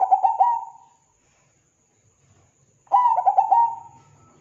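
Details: Zebra dove song used as a lure to provoke other zebra doves into singing: two mellow cooing phrases, each a quick stuttering run of soft notes that ends in a longer, level coo, with about two seconds of silence between them.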